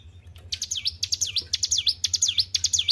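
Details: Short burst of song from a well-kept hill prinia. After a brief quiet start, five or six sharp high notes follow, each dipping and rising like a V, delivered rapidly with a low hum behind.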